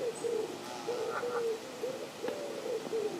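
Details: Canada geese on the South Pond in Midhurst, West Sussex, England, sounding clear repeated honks, each a short falling note, in a steady series.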